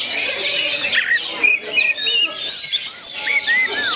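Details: Kacer, the oriental magpie-robin, 'gondo mayit' type, delivering a rapid run of varied whistles, short rising and falling slurs and high piercing notes, amid busy background chirping from other birds.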